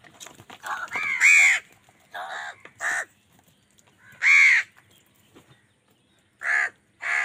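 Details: An angry crow in a fight with wild birds over food: irregular harsh caws, some loud and rasping, others shorter and thinner, with soft chatter at the start.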